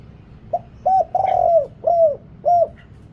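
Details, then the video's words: Thai decoy spotted dove with a big voice luring wild doves, giving five mellow, bowed coos: a brief opener, a longer rolled coo in the middle, then two evenly spaced closing notes. "เสียงต่อนกเขาใหญ่ เสียงใหญ่"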